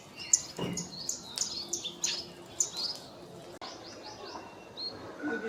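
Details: Scaly-breasted munias in Assam, NE India, in March 2025 give thin, high, piping chirps in quick irregular runs, with faint human voices in the background.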